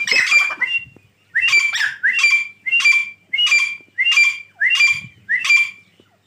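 A Grey francolin gives loud, harsh, squawking notes, about eight in quick succession, each roughly two-thirds of a second apart after a brief opening pause.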